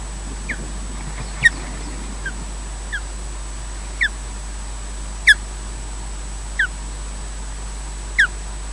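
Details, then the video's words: Osprey at its nest at Loch Garten, Scotland, during a nest changeover, filmed by a wildlife nest camera: sharp down-slurred whistled chirps given singly at irregular intervals over a low steady hum. "EJ takes over from Odin, slowly, with chirps"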